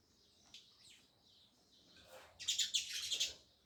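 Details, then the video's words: Chirping sparrows, loud: a few soft, distant chirps at first, then a rapid flurry of bright, high chirps close by over a faint background hiss. "Sparrows Loud Chirping Sounds"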